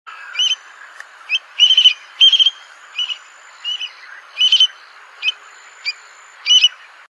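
A Eurasian stone-curlew gives about nine shrill, whistled notes, short and clipped, some doubled, spaced roughly every half-second to second. A faint steady background hiss runs underneath.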